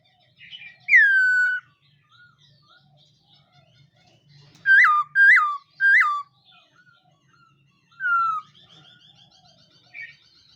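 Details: Laughingthrush morning voice training: one drawn-out falling whistle, a run of three sharp hooked whistles, then a softer downslurred note, with faint background twittering.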